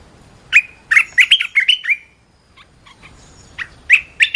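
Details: Red-whiskered bulbul kept as a cage bird, singing a lively training song: a run of six or seven loud, liquid, slurred notes, a brief pause with soft clicks, then more bright chirping notes.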